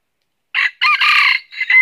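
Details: Red junglefowl from northern Vietnam, a red-eared live decoy in a trap, crowing often: a harsh, broken crow in several bursts, a short opening note, a long buzzy middle phrase, then a rising final syllable, with no other sounds.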